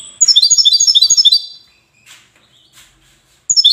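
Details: European goldfinch from the city of Safi singing: a fast run of bright, tinkling high notes for over a second, a brief pause with faint twitters, then the twittering song bursts out again.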